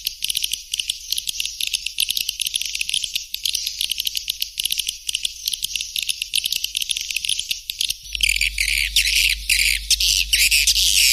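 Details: A steady, insect-like stream of fast high ticking and buzzing from white-nest swiftlets. It shifts midway to louder, coarser chattering bursts with a low hum.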